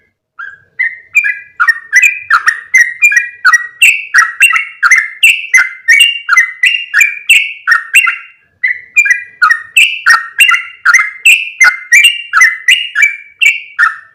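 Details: Yellow-vented bulbul sound played as a lure to bring in other bulbuls: long fast series of sharp chirps, each with a short level whistled tail, shifting between two or three pitches, briefly pausing near the middle.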